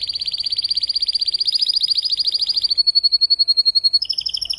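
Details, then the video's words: Spanish timbrado canary tutor bird, repertoire unfolding after the moult: a broad, rolling, throbbing trill, a thinner level pulsed phrase, then a brief lower doubled trill. "TIMBRADO RODOS"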